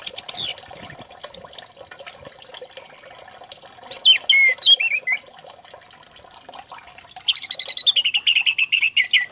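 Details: Orange-headed thrush song used as a lure to make another thrush sing: high, varied whistled phrases with sharp sweeping notes, pauses, then a long run of rapid, evenly repeated notes.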